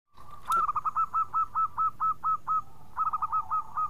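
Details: Local zebra dove singing actively, its clear, loud, small voice used as a lure to get silent birds singing: a run of about eleven short cooing notes evenly spaced roughly a quarter second apart, then a quicker clustered burst, over a faint steady tone.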